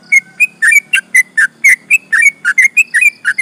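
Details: Energetic sooty-headed bulbul 'ropel' song meant to rile rival birds: a dense chain of bright, warbled chirps, roughly four per second, with alternating higher and lower notes over a faint background hum.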